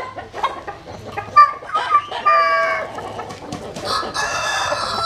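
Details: Chickens basking in early morning sun at dawn; broken, scattered sounds give way to a harmonic crow near the middle and another louder burst toward the end, with scratchy background noise.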